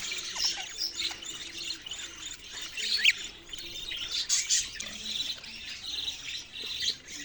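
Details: Budgerigars keep up a dense, high twittering chatter with occasional sharper squawky chirps standing out.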